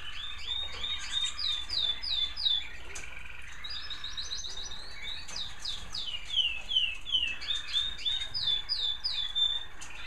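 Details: American Singer canaries, captive-bred, singing in bird rooms in the evening: chorus of rapid high rising chirps and warbled trills, partly overlapping, over a steady background hum and faint clatter.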